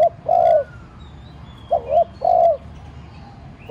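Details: Spotted dove decoy cooing gently to trigger calls from other doves; a long soft hoot, then a two-part note and another long hoot, with faint high bird notes behind.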